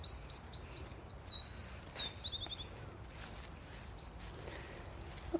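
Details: Long-tailed tits (Aegithalos caudatus) just ahead at Low Locks, Deeping St James, on a sunny late-autumn day call with thin, very high see-see notes and short buzzy trills in quick bursts, fading after a few seconds over a low outdoor rumble.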